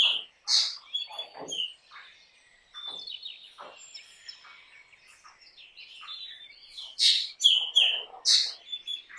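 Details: Black drongo song: loud mixed harsh bursts, metallic ringing notes and rasps, a quieter stretch of faint whistles in the middle, then loud repeated bursts near the end.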